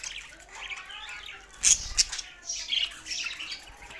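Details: Quiet budgerigar warbling with a few sharp clicks and short squeaky calls over faint chatter.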